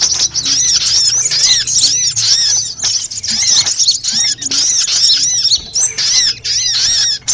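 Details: Trapping lure of sunbirds of all kinds: a busy stream of very high, sharp twittering notes and looping squeaks, tightly packed and overlapping with short breaks.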